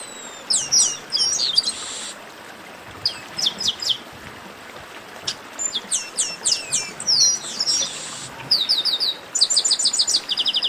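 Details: Several chestnut-capped blackbirds calling together in baderna style, meant to warm up singing birds: clustered high swooping chirps in repeated bursts every couple of seconds, closing with a rapid rattling trill.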